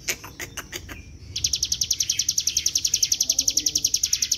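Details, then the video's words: A mountain prinia (ciblek gunung) in full, energetic song, used as a lure to prompt other prinias to sing: a few sharp chips, then a fast, drilling run of high ticking notes, about ten a second. "suara ciblek gunung GACOR NGEBREN"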